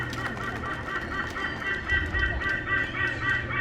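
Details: A juvenile White-bellied sea eagle, still brown, at a bird park show after snatching a replica snake from a pond, gives loud, nasal, goose-like honks, about four per second. A low rumble and faint voices sound behind.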